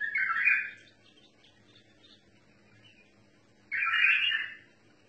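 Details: Bulbul voice in the mutawa'i song style, two loud, dense warbling bursts roughly three seconds apart, each rough and rolling, with faint scattered notes and a low hum in between.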